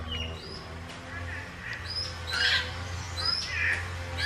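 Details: Wild African grey parrots eating fruit give short whistled and squawking calls, some rising and falling, scattered through the clip, with a steady low hum and faint music-like tones underneath.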